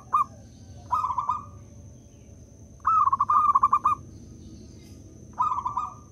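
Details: Local zebra dove, a gacor lure bird used to stimulate other doves into singing: four bursts of fast stuttering, bubbling coos at a mid pitch, each lasting about half a second to a second, over a low rumbling background and a faint steady high whine.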